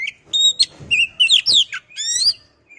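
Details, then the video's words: Oriental magpie-robin song used as a lure recording to rouse other magpie-robins into singing: rich, varied whistled phrases with sharp upslurred and downslurred notes, some buzzy trills, delivered in quick bursts with short pauses between. "pancingan burung Kacer biar emosi mau bunyi"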